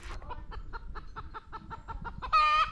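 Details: A hen on a summer homestead cackles right after laying an egg in a newly found hidden nest: about a dozen quick, even clucks, five per second, ending in one long, drawn-out squawk.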